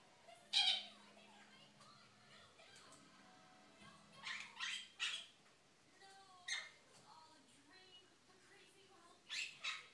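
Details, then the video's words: Female pet monk parakeet, six months old, chattering to the household dog indoors; scattered loud squawky bursts and speech-like syllables with pauses, a low steady hum in the background. "Quaker parrot talking"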